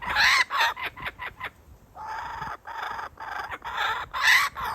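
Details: A father kookaburra holding back food from its young before feeding: quick stuttering notes, a short pause, then a sustained rhythmic cackle of repeated harsh syllables ending in a loud burst.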